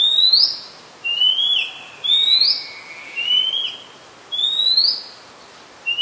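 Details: Loud, close Oriental magpie-robin song from Ubon Ratchathani, Thailand, 2 July 2022, Nikon P1000; strong rising whistled phrases, each trailing into a lower slur, repeat about once a second against a quiet background.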